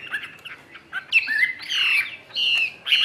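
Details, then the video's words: Caged Chinese hwamei offered by a Vietnamese bird dealer, singing in the 'ngũ trường' style while fanning its tail fully: short scratchy notes, then loud whistled phrases that slide up and down, with pauses between bursts. "HM 617 NGŨ TRƯỜNG ĐẦU XÀ XÒE HẾT ĐUÔI"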